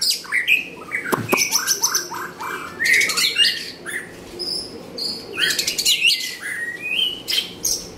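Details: White-rumped shama in Nakhon Pathom, Thailand, delivering fluty whistles in short bursts, mixed with rapid high clicks and chattering notes.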